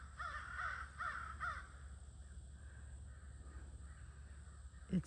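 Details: Crows at a near-evening gathering on 22 August, some perched visibly in trees: four quick hoarse caws in the first second and a half, then a quiet stretch with low background rumble and one brief knock at the end.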